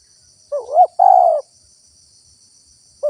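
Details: Spotted dove cooing, used as a lure for wild doves: a rising, throaty double coo and then a drawn-out mellow note, with the next phrase starting at the end and a soft constant insect whine behind.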